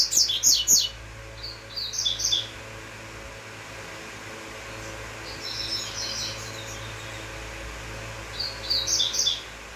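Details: Double-collared seedeater in uruguayo style: a loud burst of rapid high chirps opening the passage, then fainter, evenly paced chirped phrases further on, with a constant low hum underneath.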